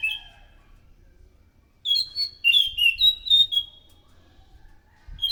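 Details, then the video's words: Orange-headed thrush, used as a lure to attract other thrushes, gives a short opening whistle, then after a pause a rapid string of loud, clear slurred whistles and twitters. "PANCINGAN BUNYI BURUNG ANIS SANGAT EFEKTIF, SUARA ASLI ANIS MACAN GACOR TEMBAKAN SUARA NYARING!"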